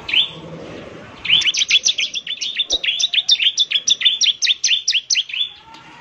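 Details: Bar-winged prinia singing for use as a lure: an opening note, then a steady series of high, paired chirps that sweep downward, repeated a little over twice a second.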